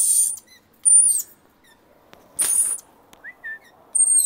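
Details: Noisy wild rainbow lorikeet family, adults bringing their young on a visit: four loud, harsh high screeches spaced irregularly, with a few faint short chirps in between.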